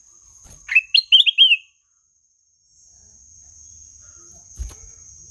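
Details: Melodious song of a ruby-throated bulbul. A single brisk phrase of four or five quick, wavering whistles follows a rising opening note, then silence, with a faint low thump near the end.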